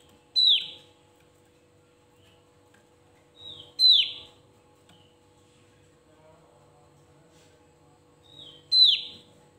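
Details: A Javan grey-throated white-eye in full song, a recording meant to provoke rival birds, gives sharp, high, downslurred notes about every four to five seconds, some led by a softer note, over a faint steady hum.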